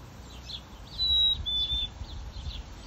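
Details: Black-capped chickadee, a male, in a northwest Calgary backyard, Alberta, early afternoon, 5 July 2022, gives one pure whistled song: a sustained high note falling to a second, slightly lower held note, with soft chirping from other birds around it.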